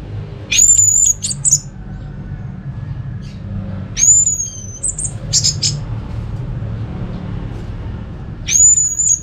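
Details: Orange-headed thrush in Singaraja, North Bali, singing to prompt other thrushes: short bursts of very high thin whistles and sharp chips, repeated about every four seconds with quiet gaps and a low hum beneath.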